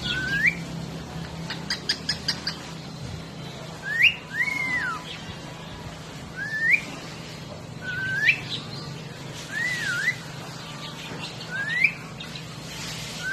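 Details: A pet cockatiel whistles clear rising and falling phrases, mixed with a few short clicks and imitated words, saying "pikoy" and "coco".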